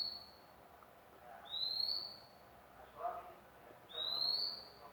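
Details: Magpie-robin, freshly acquired by its keeper, repeating a sharp upslurred whistle three times at intervals of over two seconds, with soft low rustling sounds between notes.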